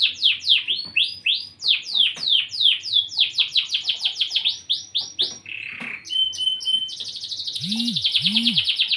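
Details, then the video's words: Long-size canary in full song, pouring out fast repeated falling chirps, a brief harsh burst, then a high buzzing roll; two low curved sounds appear near the end. "Kenari Gacor"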